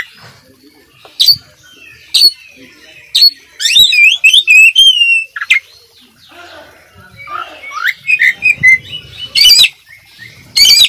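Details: Oriental magpie-robin, a lively competition-contender bird recorded as a tutor track, sings a varied song full of fill-in phrases: sharp high chips, then quick rising and falling whistled slurs and trills, pausing between bursts.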